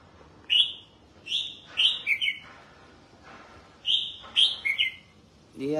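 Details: Kept red-whiskered bulbul sings during bathing and sunning: clustered clear whistled phrases in two bursts, quick notes dropping in pitch at the end of each group, with short silences between.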